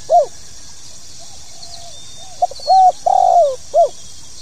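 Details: Spotted dove (tekukur) 'pokal tanggung' call meant to prompt new birds to perform: an isolated arched note, faint soft coos, a level hoot, a long quavering downslurred coo and a final arched note. High steady hiss behind.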